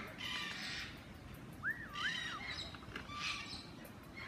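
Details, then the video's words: Lyrebird at Healesville Sanctuary, Melbourne, Australia, possibly "talking" to an Englishman, gives a looping, wavering whistle that swoops up and down between harsher noisy bursts, with steady background hiss. "Lyrebird at Healesville Sanctuary, Melbourne, Australia talking(?)"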